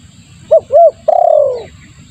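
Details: Spotted dove calling as a lure: two short arched coos then a long vibrating coo that slowly falls in pitch, one full phrase over quiet low background noise.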